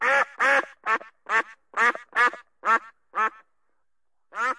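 A duck gives a run of about nine loud, nasal quacks, roughly two per second, then a short pause before one more quack.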